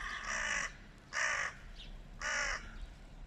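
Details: Three hoarse, grating caws spaced about a second apart from a hooded crow in a flock battling a stray cat, the first longest, with a faint brief squeak between calls and steady low background noise.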